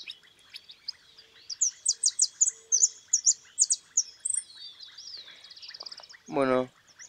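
A goldfinch sings a quick, high twittering run of bright chirps and trills over a steady high whine. A man's voice briefly cuts in near the end.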